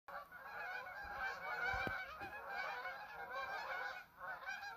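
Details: A large flock of geese honking together, a dense, continuous chorus of overlapping nasal honks with no pauses, swelling and fading slightly, with a brief low thump near the middle.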